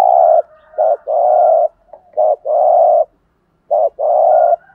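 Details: Spotted dove cooing in the standard 'thúc gù' manner, meant to stir wild doves into cooing back: three phrases in quick succession, each a brief wobbling note and then a drawn-out mellow coo, with a faint higher whistle in the background.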